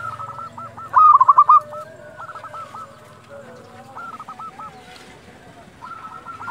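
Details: Local zebra dove calling at dusk, used as a lure: one brief loud burst of rapid, evenly spaced cooing notes, with fainter doves repeating similar phrases in the background and a low hum.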